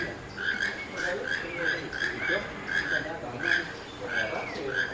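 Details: Keel-billed toucan in Costa Rica in March 2023, giving short, creaky, frog-like notes in a quick, uneven series, about one or two each second, over a faint background hum.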